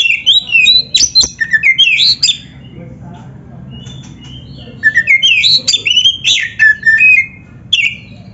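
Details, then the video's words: Oriental magpie-robin (kacer) in full vigorous song, used as training sound to spur captive birds to sing and fan their tails; bursts of sweet whistled, slurred phrases with sharp notes, a quiet pause midway, then another rich run of whistles. "PANCINGAN SUARA KACER GACOR untuk latihan‼️100% ampuh bikin KACER NARUNG BUKA EKOR DIGANTANGAN"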